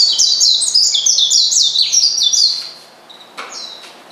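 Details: Oriental white-eye calling to rile a rival: a fast, high, tinkling stream of sliding notes for over two seconds, then a pause and a few scattered thin notes.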